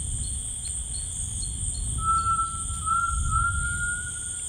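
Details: Grey tinamou song in rainforest: one long, clear, tremulous whistle rising slowly in pitch for over two seconds, set against steady high-pitched insect noise and a low rumble.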